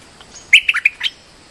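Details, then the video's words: A bulbul (merbah lekir) gives a quick burst of four or five bright, liquid chirps in about half a second against a faint hiss; a lure call. "Suara pikat merbah lekir gacor"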